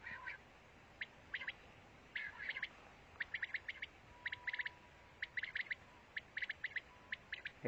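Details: Pakistani quail song on a mobile recording: rapid bursts of two to five crisp, high chirps, spaced roughly a second apart, against a hissy background with a faint low tone.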